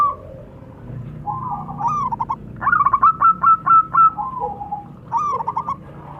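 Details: Local zebra doves, male and female, calling and answering each other: soft, low cooing notes in rolling bursts, then a run of about eight evenly spaced, rising coos, and a final short cooing phrase.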